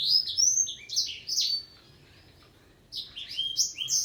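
A black-throated canary sings a fast, high, twittering song of sweeping slurred notes in two bursts separated by a short pause.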